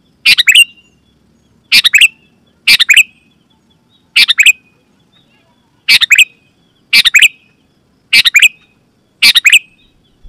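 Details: Sooty-headed bulbul giving loud, clear lure calls meant to set other bulbuls singing: short bubbly, chattering phrases, each with a trailing note, repeated about every second with quiet gaps.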